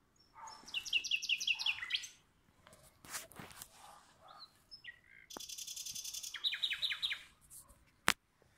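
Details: Common nightingale trading song with a rival nearby. Loud, buzzy, rapidly repeated note trains come in two bursts, separated by scattered chirps and clicks, with a sharp snap near the end.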